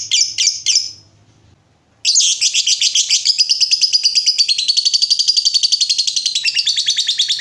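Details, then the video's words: Lovebird in prolonged ngekek song, played as a lure to make other lovebirds answer: three short high chirps, a pause, then a long, fast, even chattering trill of sharp notes that runs without a break to the end. "Pancingan Lovebird Gacor Burung Lakbet apapun pasti Nyaut Ngekek"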